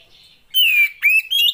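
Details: Female Oriental magpie-robin, a captive bird whose voice is used to stir lazy males into singing: two loud, slightly descending whistled notes with harsh overtones, then a short rising whistle, in a quiet setting.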